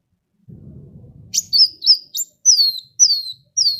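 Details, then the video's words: Sunbird song used to lure other birds to sing: after low rumbling noise, a steady string of sharp, high, downslurred whistles, about two per second. "SUARA KOWUL GACOR ISIAN SUPER MEWAH SEMUA JENIS BURUNG PASTI IKUT BUNYI"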